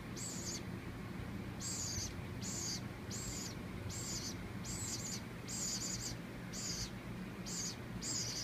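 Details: Baby woodpecker hand-raised on moist cat food and water from a paintbrush, begging at feeding time; about ten scratchy, sizzling high buzzes in a fairly even series, low mechanical hum throughout.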